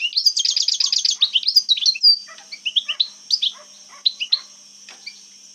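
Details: European goldfinch from Algeria singing old-style wild 'jebdat khalwiya' phrases: a rapid burst of bright, buzzy twittering notes, then slower scattered chirps and tinkling descending notes, over a faint steady high whine.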